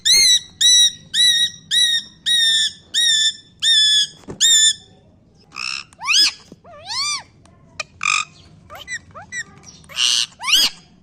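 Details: Pet parrot indoors mimicking a dog: a fast run of about nine short, harsh, bark-like squawks, followed by mixed whistles, squeaks and raspy bursts.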